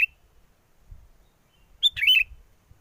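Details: Sooty-headed bulbul song played as a trapping lure, recorded in strong wind: a clipped note at the start, then one short bubbly, warbled phrase near the middle, with a faint low wind rumble underneath.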